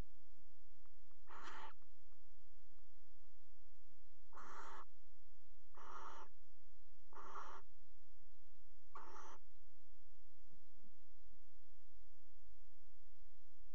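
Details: Five hoarse, breathy screeches from barn owls mating at the edge of a water-tower nest box in Axel, 5 February 2018, the first isolated and four following about every one and a half seconds.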